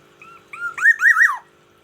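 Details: Black-naped oriole from Aceh in the morning giving a short fluty phrase: soft whistled notes rise into a loud wavering, zigzag whistle that drops sharply at the end.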